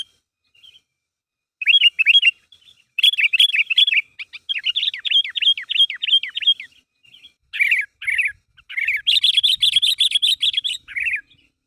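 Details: Sooty-headed bulbul calling so that companions respond: groups of sharp descending chirps repeated in bursts, with short gaps, ending in a dense rapid chatter and a final phrase.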